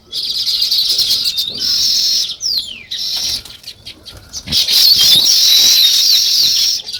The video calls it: Natural Sparrow Chirping Sounds